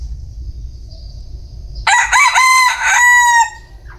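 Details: Single crow from a bantam rooster: a loud, rough cry of choppy syllables finishing in a held, wavering tone, preceded by a faint high buzz and low background rumble.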